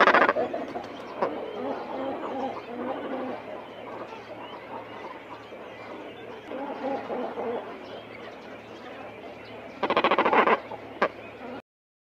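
Cormorant giving low, guttural croaks and grunts in irregular overlapping bursts, like colony chatter, with a louder harsh rasp near the end.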